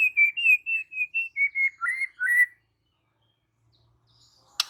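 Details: White-rumped shama singing out its repertoire: a sequence of clear, evenly spaced whistled notes with slight wavering inflections, ending in two dropping-and-rising phrases, followed by silence and a faint click.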